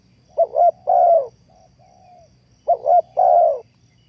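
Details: Spotted dove call used as a lure for trapping: two clear cooing phrases, each a short double note then a longer drawn-out, slightly falling coo, repeated about two seconds apart against a quiet background.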